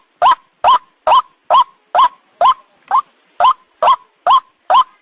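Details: White-breasted waterhen call, played to lure birds for catching: loud, harsh nasal notes, each rising in pitch, about eleven repeated steadily roughly twice a second, with clean silence between them.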